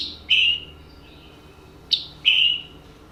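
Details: Scarlet Tanager from West Virginia giving its call, which is more distinctive than its song: a sharp click leading into a hoarse, burry note, heard twice about two seconds apart, with quiet hum between.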